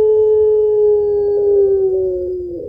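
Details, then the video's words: Puter pelung spotted dove singing actively to draw out other birds: a single sustained low coo, smooth and steady, drifting slightly lower near its end, under three seconds long. "Burung Puter Pelung Gacor Suara Panjang Kuwok Tebal Cocok Buat Pancingan"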